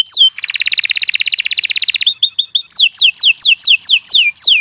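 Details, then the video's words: Canary singing a long, lively song for tutoring young songbirds: a sweeping whistle, a rapid even trill of about two seconds, short chips, then a series of clear descending whistled slurs repeated roughly twice a second. "Kicau Burung Kenari 86 II GACOR PANJANG Cocok untuk Masteran"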